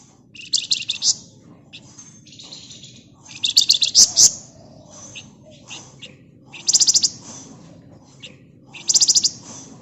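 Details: Flamboyan bird in full dense song, kept as a lure for other birds, delivering short bursts of rapid high buzzy trills, about five bursts with quiet gaps, over faint background hum.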